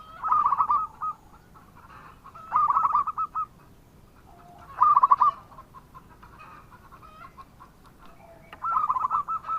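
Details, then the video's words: Local zebra dove (perkutut) in full, vigorous song, used as a lure to prompt other doves to answer: staccato trilled coos near one pitch, in bursts roughly every two to three seconds, with softer trailing notes between phrases. "Perkutut Lokal Gacor dengan Suara ini Sekali Putara Langsung Nyaut"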